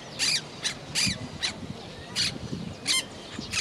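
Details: Monk parakeet, also called Quaker parrot, kept in a house: a run of harsh, raspy squawks with downward-sliding tones, repeated roughly every half second with uneven gaps, over a low indoor rumble.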